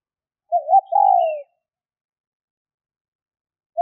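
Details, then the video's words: Hen spotted dove giving a male-stimulating call: one phrase of a wavering short coo and a long descending coo, a faint high chirp above, then silence until the next call begins. "Tiếng Chim CU gáy mái chuẩn kích trống hiệu quả"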